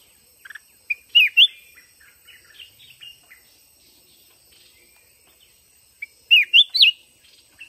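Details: Red-whiskered bulbul from the mountains, trapped in a fighting contest against a caged decoy bird: two loud, rising, warbled phrases about five seconds apart, with soft chirps between and a steady high hiss behind.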